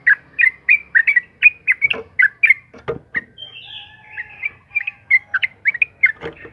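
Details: Long, rapid sooty-headed bulbul song meant to draw other bulbuls into song: a steady run of short, bubbly whistled notes, briefly broken by sharp clicks before the phrase resumes.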